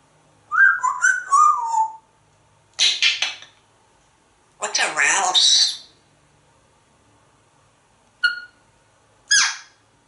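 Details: A talking pet African grey parrot in an office gives a burst of descending whistled notes, then harsh squawky chatter and brief sharp chirps, with quiet gaps between bursts; it also mimics words and sounds.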